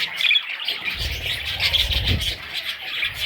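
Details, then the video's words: Baby parrots giving a dense, continuous high chatter of squawky chirps, with a low rumbling noise underneath from about one second on. "Parrot little babies"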